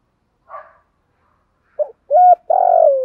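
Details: Spotted dove used as a morning decoy to lure others: a faint soft note, then a short note, a level mellow coo and a long, rough, slowly falling coo ending the phrase; quiet surroundings.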